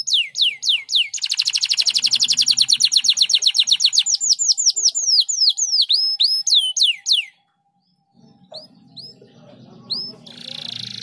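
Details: Canary singing as a training recording to get other canaries singing: a fast run of repeated whistled sweeps and downslurs, then a dense rattling trill for several seconds, more sliding notes, a brief pause, and scattered chirps over faint low rumble.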